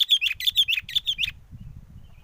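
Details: A fast string of about eight sharp, ringing bulbul notes stops abruptly, leaving a low rumble of wind; sooty-headed bulbul song used to lure birds for trapping.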